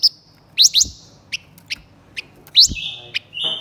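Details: Blue-winged minla male and female singing together as a decoy to excite wild birds: sharp rising chirps, high whistled notes and short flat whistles in quick irregular bursts over a soft background hum.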